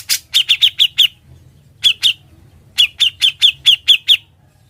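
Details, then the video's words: Grey-cheeked bulbul song used as a tutor recording for other birds: short groups of four to six sharp, slightly downslurred chips with harsh onsets, separated by brief pauses, above a low background hum. "Suara burung cucak jenggot, gacor & NGEBREN Buat MASTERAN"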